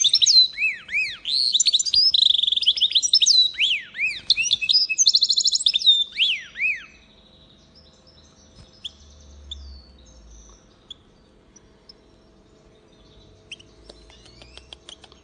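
A goldfinch mule sings a fast, bright, twittering song of varied high notes and trills.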